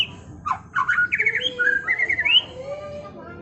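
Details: White-rumped shama, a singing bird prepared as a master tutor, in a rapid rolling song of varied whistled and slurred notes, sweeping down then rising in short bright phrases over about two seconds, with a low background hum.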